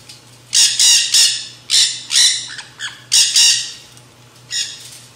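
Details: Black-hooded Nanday parakeets eating seed mix at a backyard feeder give loud grating squawks, paired or single bursts roughly every half to one second, with short quiet gaps and a low steady hum behind.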